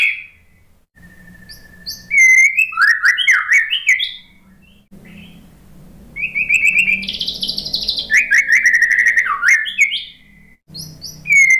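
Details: White-rumped shama song recorded as a lure for post-moult birds that are unwilling to sing. Sharp whistles and rapid trills come in bursts separated by short silences, with a buzzy rasping phrase midway. A steady low hum runs throughout.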